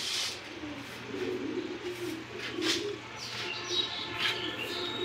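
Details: Low, throaty cooing from a Bokhara pigeon in a Bangladeshi loft, pulsing in short bursts, overlaid by scattered thin chirps and brief sharp sounds from other birds.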